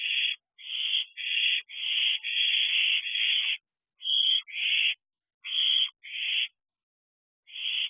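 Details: Two hungry owlets in a nest box calling for food late at night in June; a run of rasping, hissy screeches, mostly half-second bursts in quick succession, then more spaced out.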